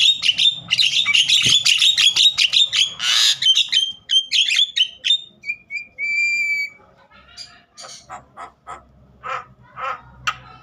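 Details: Javan myna singing in an agitated state to spur young mynas into song. Dense high chatter and sharp whistles give way to three drawn-out, level whistles, then softer scattered rasping notes.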